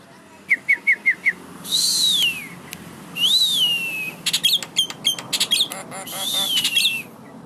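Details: Asian pied starling singing while nodding its head: a run of five quick sharp notes, then long slurred whistles that rise and fall, a burst of dry clicks, and more swooping whistles.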